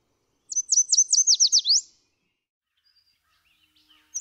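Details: Yellow Warbler (Setophaga petechia) song, an early-summer breeding song: a quick run of about nine high, sweet slurred notes lasting just over a second, speeding up and dropping at the end, before a new phrase begins.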